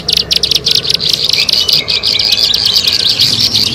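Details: Bar-winged prinia, known locally as ciblek sawah, in a recording used as a lure to attract birds: rapid, dense high-pitched chirps and buzzy trills, about three per second, uneven in rhythm, over a faint low rumble.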